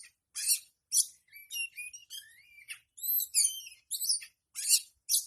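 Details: Oriental magpie-robin song for tail-opening therapy: loud, rasping chirps alternate with clear whistled phrases that slide upward, making a varied, energetic sequence of about a dozen notes with brief silences between them.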